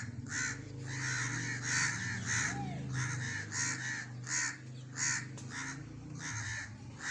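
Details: Black francolin calling: a run of harsh, grating rasping notes, each short and buzzy, repeated roughly every half second over a steady low background hum.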